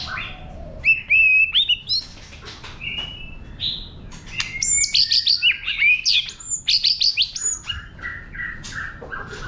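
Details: White-rumped shama singing in wild forest style to stimulate newly caught birds: flat whistles and clicks build into a long rapid stream of varied high whistles and chirps, then slower low notes.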